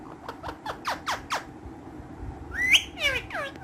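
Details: Pet green ringneck parrots, playful and active, give a quick run of six sharp downward-sweeping squawks, then a loud rising harsh screech followed by several curved downslurred notes.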